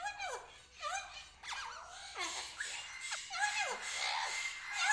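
Cockatoos give loud, harsh squawks that drop in pitch, several overlapping in quick succession, about one every second, with a busy, screechy background of more birds.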